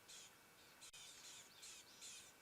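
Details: Rattling cisticolas alarm calling wildly in the early morning at a yellow-billed hornbill holding a starling chick in its mouth; dry, high buzzy bursts repeat about every half second in several loud pulses.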